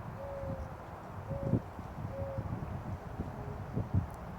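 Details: Mourning Dove in a subtropical Florida backyard on a beautiful day: soft, low, hollow coos, four short steady notes about a second apart, half-buried under footsteps and handling thumps.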